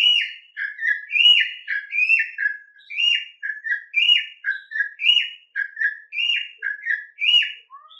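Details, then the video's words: A Campo Troupial sings its wild-type (mateiro) song: loud, rich whistled phrases of two or three notes, sliding between high and mid pitch, repeated almost without pause. "CORRUPIÃO CANTO MATEIRO"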